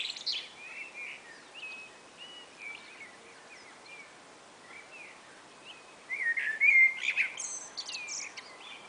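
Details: Pair of common blackbirds chatting on a spring afternoon. Faint, distant fluted phrases come first, then a close, loud mellow warble finishing in sharp, high twittering notes.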